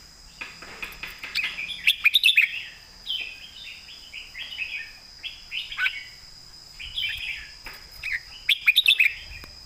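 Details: Red-whiskered bulbul singing the southern master-song style, a nearly continuous stream of cheerful warbled phrases punctuated by bursts of crisp, rapid chirps, over a faint steady high hum.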